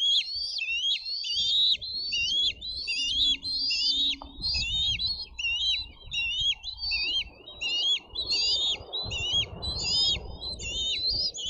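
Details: Bald eaglets at a nest camera screaming while fighting over fish delivered by a parent, May 2023; rapid series of high, piping, chittering screams repeated over a second per burst, with rustling and low background rumble.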